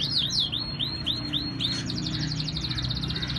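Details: Singing canary in Islamabad, Pakistan: six swooping whistled notes in slow series, followed by a quick repeated trill running to the end, with low hum beneath.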